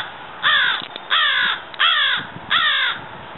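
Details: Florida crow (Corvus brachyrhynchos pascuus) calling four loud, harsh, drawn-out caws spaced roughly every second and a half, each flat and raspy with a slight downward slur, against a quiet background.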